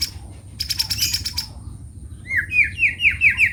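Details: White-rumped shama (murai batu) singing in the morning: a short series of clear whistled notes, rising and falling, after an earlier burst of fluttering wing-like noise.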